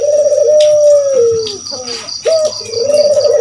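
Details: Spotted dove coo for provoking other birds to call back: a long, steady, low rolling note sliding down, a brief pause, then a short sharp coo leading into another rolling phrase, with repeated faint high beeps throughout.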